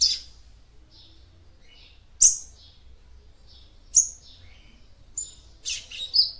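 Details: Female seedeater vocalising to excite a male: scattered short, high, slurred chirps at irregular intervals, clustering near the end into a quick run of bright notes, over a faint low hum.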